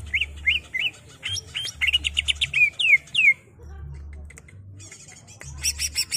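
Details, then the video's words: Greater green leafbird singing for captive-bird training: quick rising chirps, a rattling stutter, then falling slurred whistles, a pause and dense high chatter at the end, low hum throughout. "Suara buring Cucak ijo ngerol"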